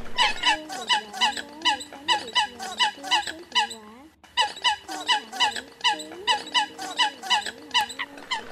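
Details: Eurasian coot calls from a lure recording for attracting migrating birds in the 2020 migration season, billed as a competitive call: bursts of short squeaky, harmonic-rich notes in rapid runs, a brief pause midway, over a steady low tonal hum.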